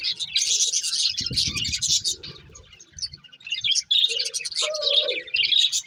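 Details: A breeding pair of budgerigars, kept as love birds, giving dense, scratchy high chatter that pauses briefly, then resumes with squeaky chirps and a brief lower warbled note.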